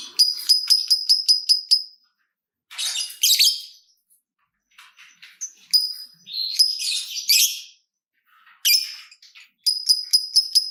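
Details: Lovebird ticking song (ngetik) played as a lure so other lovebirds answer: bursts of rapid, high, clicking notes broken by short silences, mixed with rough screechy chatter, ending in another fast ticking run.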